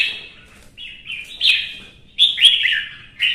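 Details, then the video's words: Competitive singing by a red-whiskered bulbul: a warbled phrase, a pause, then louder rolling whistled notes with sharp accents, ending on a brief rising phrase. "CHÀO MÀO | Kè kích chim hót đấu kích ché căng lửa"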